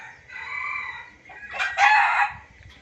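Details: Junglefowl lure sound: a drawn-out, nasal, crowing-like note, a short pause, then a louder, harsh, ragged burst of cackling before fading.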